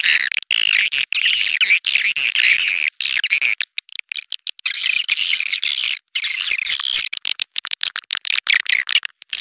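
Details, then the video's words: Swiftlet calls played to attract swiftlets: dense, buzzy twittering chirps that run almost without pause, broken by brief silent gaps, with no other clear sounds. "suara burung walet panggil burung walet"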